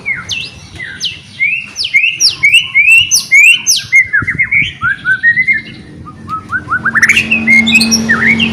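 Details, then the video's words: Energetic white-rumped shama song used as a lure for other shamas: quick alternating high and low whistled notes in a steady series, softer warbling, then a burst of sharp upsweeping notes. "MURAI BATU GACOR ..TEPAT UNTUK PANCINGAN"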